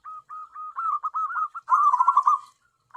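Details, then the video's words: Local tame zebra dove used to lure wild doves: a string of short clipped notes speeds up and swells into a loud, rippling rolled coo. "BURUNG PERKUTUT AMPUH UNTUK PIKAT (PERKUTUT)"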